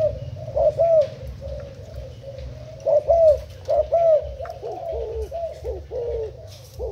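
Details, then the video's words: Decoy spotted dove, Thai type, recorded 10 April 2018: quiet low cooing, then a louder pair of rounded coo phrases near the middle, ending in a quicker series of short bubbling coos, with faint chirps behind. "Cu gáy mồi úp thailand"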